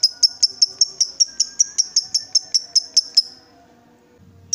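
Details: Excited lovebird, provoked to call, producing a fast even series of sharp high ticking notes, roughly six per second, for about three seconds before stopping; otherwise quiet.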